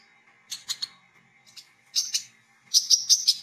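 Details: Olive-backed sunbird singing gacor in ngriwik and ngecret styles while learning ngeplong, kept as a lure to call other sunbirds; clusters of thin, high, sharp chirps come in quick bursts, ending in a rapid rattling series over a faint steady hum.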